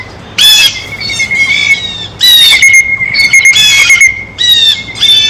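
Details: A Blue Jay at a feeder, feeding, gives harsh, nasal squawking calls, about five loud bursts in five seconds, over a thin steady high tone.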